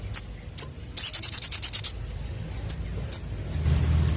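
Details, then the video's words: Lure for young sunbirds with two piercing high chips, a quick rattling high trill of about nine notes, then more isolated sharp chips over quiet background noise. "Burung Sogon Muda Bakalan Langsung Nyaut Denger Suara Pancingan ini"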